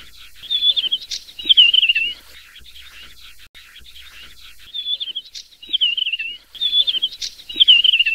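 A desert wheatear gives short, high, scratchy warbled phrases, each about half a second, in two bursts separated by a quiet pause.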